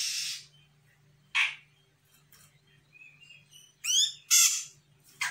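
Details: Sumatran grey-cheeked bulbul, an untrained bird reacting to a lure recording: coarse, buzzy bursts, soft short whistles, and a quick cluster of sweeping, descending scratchy notes near the end.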